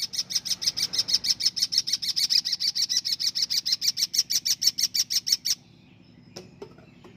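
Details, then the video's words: Champion long-tailed shrike from singing contests: a rapid, even string of around thirty sharp high notes, about five per second, stopping abruptly, followed by quiet with a couple of faint clicks. "burung pentet juara par 4 juara"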